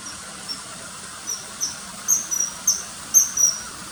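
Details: Common kingfisher calls beginning sparse and faint, then a louder quickening sequence of shrill, thin, high whistles, some paired, in the second half, with soft hiss underneath.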